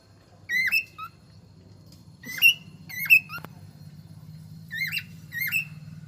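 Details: Cockatiel kept as a pet, described as talking, gives clipped whistled notes that rise and then bend down, in pairs and singles spaced about a second apart, with a steady low hum underneath.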